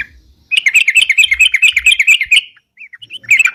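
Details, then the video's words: Crucukan, the sooty-headed bulbul, chattering nonstop as a bird-catching lure: a steady two-second burst of rapid, sharp, repeated chirps, a short silence, then a few scattered notes picking up again. "suara crucukan gacor bisa buat pikat"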